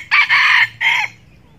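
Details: Red junglefowl decoy rooster crowing to lure and provoke wild roosters; a loud, harsh two-part crow, a long strident first phrase followed by a shorter second phrase that drops at its end, then quiet.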